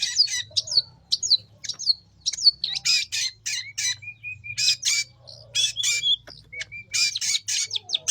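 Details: Long-tailed shrike in full song, played to lure young wild shrikes; sharp chirps and buzzy notes mixed with thin level whistles, delivered in uneven bursts over a faint low hum.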